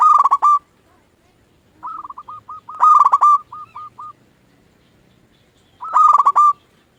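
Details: Local zebra dove in full song, used as a lure to make other doves answer: three loud, bubbling cooing phrases of quick clipped notes about three seconds apart, the middle one trailed by softer separate coos, quiet background.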